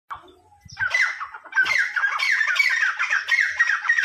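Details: Teetar (partridge) calling in harsh, squawking notes repeated rapidly, dense bursts of downward-slurred raspy syllables continuing for about three seconds after a quieter start.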